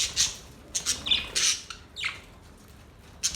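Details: Budgerigar mating-call sounds: short, sharp chirps and harsh squawks, some with falling pitch, spaced irregularly over a few seconds against a quiet background.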